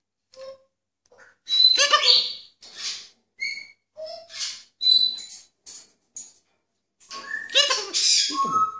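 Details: Captive blue-and-yellow macaw mimicking words such as 'high five', 'kiekeboe' and 'hiep hiep hoera', and imitating a cough: a run of harsh, nasal, speech-like syllables mixed with short whistled tones, ending in a raspy, rising squawk.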